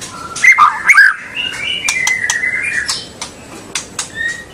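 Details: White-rumped shama song used to spur young and junior birds into singing and long chattering: a few rich whistled notes, then a long, steady, slightly wavering whistle, followed by scattered sharp clicks and short high notes.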